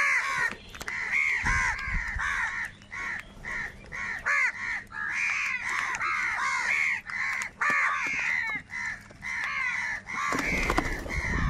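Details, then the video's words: Huge crowd of crows squabbling over food, a long run of raucous overlapping caws in rapid bursts, some short clicks and thumps, ending in a loud broadband rustle. "Kaka sound and Noises of Crow Birds | Huge Numbers of Crows Crowing and Crying sounds"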